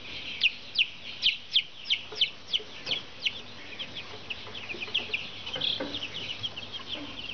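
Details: Brahma chicks: a crisp run of loud, high downward peeps about every third of a second, then softer, more scattered cheeping from several chicks over a faint low hum.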